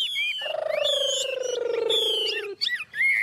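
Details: Hand-held tame Chinese hwamei in 'ôm cóng' singing posture: a long, steady, low drawn-out note of about two seconds under high clear whistles, ending with short twisting whistled notes.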